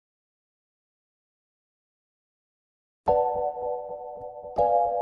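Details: Three seconds of silence, then two ringing bell-like chimes that sustain and fade; no animal sound present.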